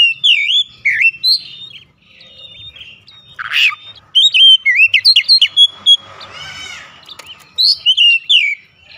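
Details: Oriental magpie-robin song used as a lure recording to make other kacer start singing hard. Varied bursts of sharp chirps, slurred whistles and rapid twittered notes, with brief pauses and a buzzy rattling phrase near the middle.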